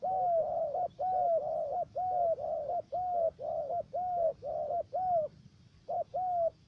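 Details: Three-note spotted dove serving as a trapping decoy in U Minh, Ca Mau province, Vietnam. A loud, rhythmic run of about seven linked coos, each a clear arched note, then a brief gap before two more.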